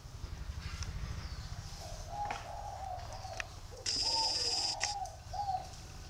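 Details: Spotted dove of the dây vàng singing style, kept in Ba Vì, northern Vietnam, giving a few faint, low hollow coos over background rumble, with a brief high thin whistle from another source partway through.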